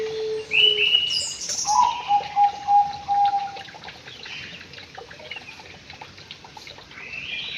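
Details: White-rumped shama in an aviary: a low whistle, a high slurred phrase, then a quick series of low whistled notes, before the song fades into soft background noise.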